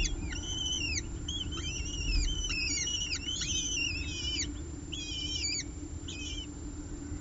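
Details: Two peregrine falcon eyases being fed on a nest ledge in Orange, 30 September 2018, the female feeding them prey delivered by the male. Rapid series of high, downslurred whistled notes, some doubled, tapering off in short clusters over a steady low hum.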